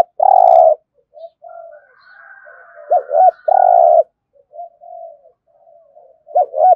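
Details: Cooing spotted dove in the 'thổ' voice, used to provoke other doves. Mellow long coos alternate with paired short hooked notes, with soft murmuring notes in between.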